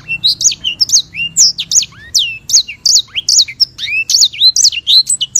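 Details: Sanger bird (white-rumped seedeater), a canary relative from Africa, in long rolling song: fast run of bright high chirps mixed with downward-sweeping and rising whistles, nearly unbroken; soft low background hum.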